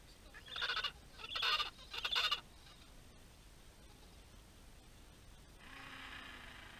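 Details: Gentoo penguins, many of them, at Orne Harbor, Antarctica; one gives three loud, harsh, honking brays in quick succession, each under half a second, followed by a steady low hum and rushing noise.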